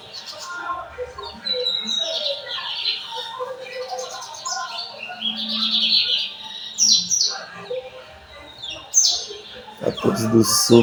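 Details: Lined seedeater from São Luís singing torneiro song at 4 pm, 14 May 2025. Twittering, buzzy high phrases with quick slurred notes are followed by a loud rustling clatter at the close.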